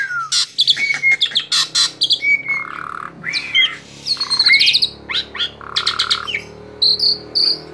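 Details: An excited male Asian pied starling in full song pours out a rapid, unbroken jumble of harsh chatters, clicks, buzzy bursts and sharp rising whistles, all high-pitched, with no pauses.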